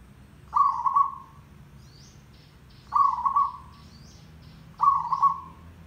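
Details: Lure recording of a zebra dove singing: three grating, rolling coos repeated roughly every two seconds, with soft high twitters from other small birds in between.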